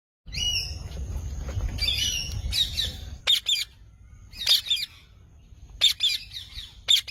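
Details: Green parrot giving harsh, raspy squawks in short bursts, spaced irregularly and getting louder in the second half, over a low rumbling background in the first few seconds.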